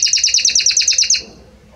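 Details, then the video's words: Belgian canary giving a short burst of song: about ten rapid, evenly spaced high chirping notes in just over a second, then quiet. "Magnífico Como canta este Canário Belga!"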